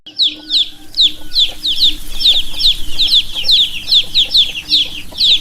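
Baby chicks peep constantly, high thin downslurred cheeps overlapping several times a second, with a low steady hum beneath.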